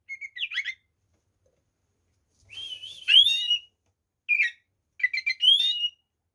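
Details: White-rumped shama song played to provoke rival shamas: short whistled and trilled phrases, including rising slurred notes, spaced by pauses of one to two seconds.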